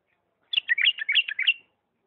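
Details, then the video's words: Bulbul from Diyala, Iraq, singing in the refined 'lisanat' style: a single quick phrase of about one second, with rapid warbled, fluty notes that rise and fall against a quiet background. "اجمل تغريد بلبل ديالى طور لسانات راقيه"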